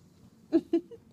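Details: A pet Moluccan cockatoo, talking early on while getting to know its owner, gives two quick, voice-like syllables a fifth of a second apart, then softer trailing notes, in a quiet indoor room.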